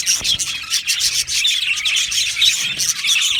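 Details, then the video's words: Budgerigars in an aviary colony produce loud, raspy, densely overlapping chirps with scattered thin whistled squeaks. "Australian Budgie parrot sounds | Budgie parrot chirping sounds"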